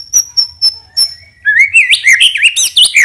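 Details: Caged white-rumped shama lure song opening with four evenly spaced high sharp chips, then a fast run of loud, twisting whistled notes rising and falling.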